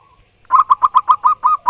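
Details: Zebra dove of local wild stock in full, loud song: after a brief soft note, a fast string of about eight strong, rounded coo notes at steady mid pitch, evenly spaced and ringing, with no other sounds.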